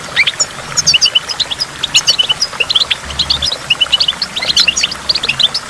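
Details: Goldfinch by a waterfall with water drops, in a stimulation recording, delivering a lively run of short clipped chirps and tinkling high notes in quick succession, with a faint low rumble below.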